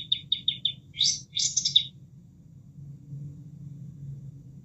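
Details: Bulbul (kapas tembak) tutor song for caged birds: four quick sharp chirps followed by two harsh rattling bursts, then only the low rush of water.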